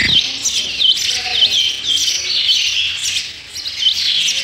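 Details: Sparrow chicks begging while being fed in the nest, with shrill, rapid chirps and repeated sharp dipping notes about every half second, loud and steady throughout.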